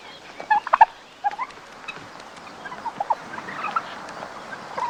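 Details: Farmyard male turkey, angered and readying to fight for leadership of the group, wattle swelling: a few short, rattling gobble bursts, scattered through the clip over a steady background hiss.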